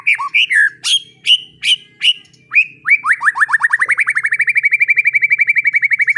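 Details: Tutor recording of White-rumped shama singing for young birds: several separate rich whistled notes, then a long fast series of short upslurred whistles repeated about three times per second and steadily speeding up.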